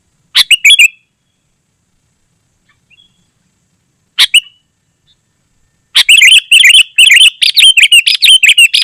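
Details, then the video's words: Energetic, dense Sooty-headed bulbul song meant for calling wild bulbuls and training caged ones: two brief chirpy phrases, then a fast unbroken run of quick whistled notes repeated over the final three seconds. "Suara Burung KUTILANG GACOR Sangat Rapat"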